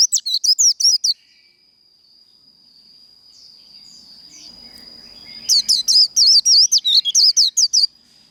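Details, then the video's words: Japanese white-eye giving its líu đấu fighting song, used to fire up trained birds: two bursts of rapid, high, twisting chirps, a second of notes, a pause, then a longer run, over a steady high-pitched whine. "Vành khuyên líu đấu"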